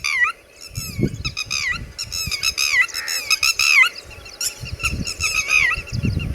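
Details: Red-wattled lapwing beside its chicks, calling loudly in rapid strident repeated notes, bursts of several quick shrill cries run together over six seconds, with low rumbling noise beneath.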